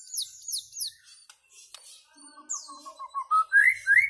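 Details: White-rumped shama song opens with three high downslurred notes. After a pause, a string of short mid-pitched whistles climbs into loud upward-sliding whistles.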